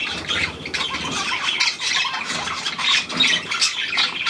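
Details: Budgerigar, a new hand-tame Australian pied bird, recorded 17 February 2023: dense, rapid chattering of scratchy squawks and warbles, many overlapping notes without pause, busy and continuous throughout.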